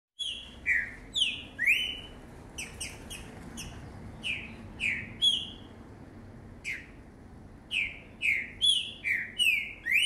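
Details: Young caged Green-winged saltator, a standout 2019 fledgling, singing in a fast phrase: loud whistled slurred notes, some rising and some falling, in quick bursts with short pauses, over faint room hum.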